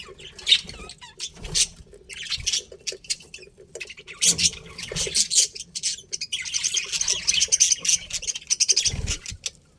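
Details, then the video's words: Budgerigars chattering: scattered high chirps and clicks with light rustling at first, then a sustained, fast, scratchy warble running through the second half. "Cute Budgies Chirping Sounds"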